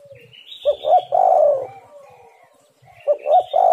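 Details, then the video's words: Spotted dove coos used as a bird lure: a full phrase of two short notes and a long falling coo, then the start of another. High rising chirps from other birds are heard early on. "tekukur super gacor suara untuk pancingan semua burung"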